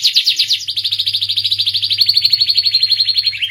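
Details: Starblue canary song opening with quick descending chips, then settling into a long steady trill of rapid repeated notes, bright and even, with a low hum in the background.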